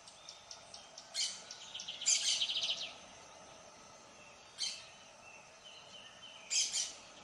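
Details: Lined seedeater song in separate bursts: a brief high note, then a quick buzzy trill of fast repeated notes, and two more short high phrases spaced a few seconds apart over a steady hiss.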